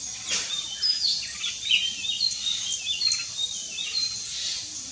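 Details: Jungle myna calling with rapid high chirps and brief whistled slurs in irregular runs, one loud note early on, set against a constant shrill background drone.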